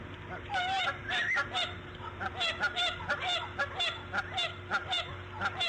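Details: Female bald eagle calling while laying her fifth egg, morning of March 1, 2014, 8:40 AM. Run of sharp, high, piping notes, some slurred, repeated roughly every third of a second in short bursts, over a constant faint hum.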